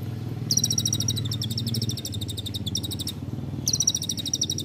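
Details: Olive-backed sunbird in a training recording for songbirds: long rapid buzzy trills high in pitch, broken by short pauses, over a strong low rumbling background.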